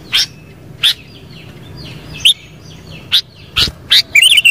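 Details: Sharp, bright notes from a sooty-headed bulbul arrive roughly every half second, ending in a quick wavering, bubbly flourish, over a faint background of twittering birds.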